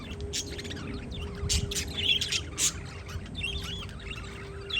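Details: Windy outdoor scene with parakeets giving loud harsh chirps and busy twittering, while a steady low drone runs underneath the whole clip.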